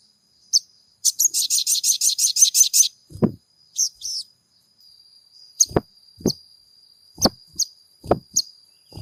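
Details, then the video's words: Caged crimson sunbird (sogon) singing to stir other sogon to sing: a fast, very high, buzzy trill of about a dozen rapid notes, then scattered high chips, with sharp knocks and clicks and a steady thin high tone underneath. "MASTERAN SOGON GACOR PENJEBOL EMOSI SOGON MACET BUNYI"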